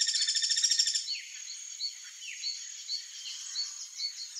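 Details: Guira cuckoo (Guira guira), a gregarious bird, giving an alarm: the clip opens with a second of loud, rapid buzzy rattling, followed by evenly spaced short chirps and a few downslurred notes.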